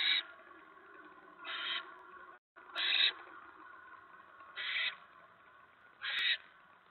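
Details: Barn owls at the nest, evening of 10 November 2017, during a mouse delivery: five raspy hiss bursts spread over seven seconds at uneven intervals, with faint background hum and a couple of sharp clicks.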